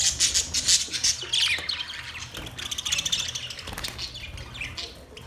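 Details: Budgerigars chirping: sharp high squawking notes crowd the opening seconds, then fade into a softer, steady scratchy chatter.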